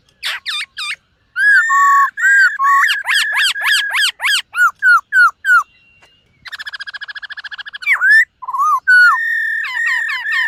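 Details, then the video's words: Dancing white-cheeked laughingthrush practising its morning song: sharp rapid notes, a long run of whistled slurs repeated about three a second, a fast buzzy trill, then varied clear whistles. "Khướu BẠC MÁ hót MÚA luyện giọng . Khướu hót sáng luyện giọng kích bổi"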